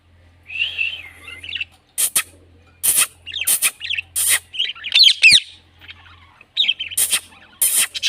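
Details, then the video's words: A talking Indian ringneck (rose-ringed) parakeet chatters in scratchy, high, word-like phrases, broken by sharp smacking kiss sounds about every second. "Green Parrot Talking Natural Sounds / Voice"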